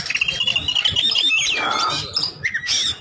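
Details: Oriental magpie-robin (kacer) singing in the energetic 'ngobra' calm-type style, used to lure other birds into singing: quick varied whistled phrases, a long slurred high whistle, then sharp rising notes and a buzzy downslurred burst.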